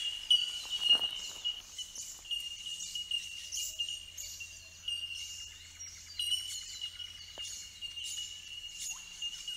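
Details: Bell miners, also called bellbirds, recorded at Benarkin in south-east Queensland: many overlapping high, pure bell-like tink notes merge into a steady ringing tone, with quick higher chirps scattered throughout and a faint low hum beneath.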